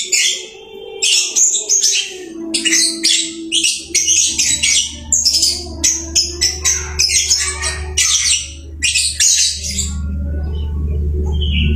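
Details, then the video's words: Lovebird kept at home sings tirelessly: long series of harsh, squeaky high chirps in fast clusters, joined in the second half by a steady low humming drone that grows louder toward the end. "Burung Lovebird rajin kicau"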